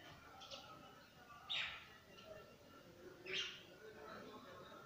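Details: Male parakeet, a daily visitor to a home, eating apple, gives two short, harsh, screechy squawks about two seconds apart over a faint background murmur.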